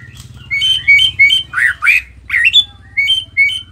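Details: Nias dotted white-rumped shama in vigorous song used to trigger rival shamas: short bright whistled phrases and harsher rasping notes in bursts about every half second, loud and clear over a low steady hum.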